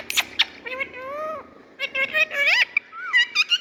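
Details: Indian pet parrot talking in squeaky, speech-like phrases with rising and falling harmonic tones, short sharp clicks and little pauses between bursts.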